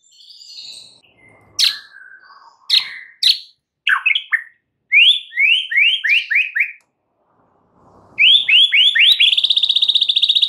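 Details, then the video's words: White-rumped shama singing in the morning: sharp downslurred notes, then a series of rising chirps and a long rapid trill of bright repeated notes. "mUrai MACET jadi NYAUT GACOR di PAGI HARI"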